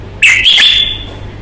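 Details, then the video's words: Caged red-whiskered bulbul in fighting condition showing aggressive temperament: one loud clear whistled phrase near the start, a bright note sliding into a long level tone that fades out, over a low steady hum. "CHÀO MÀO | Bóng bộ thái độ nết đấu chất giọng cực hay"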